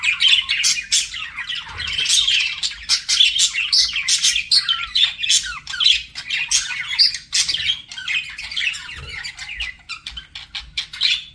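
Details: Pet budgerigars flirting with a long run of sharp clicking chirps, squawky notes and warbled chatter, packed closely with brief lulls, several birds calling over one another.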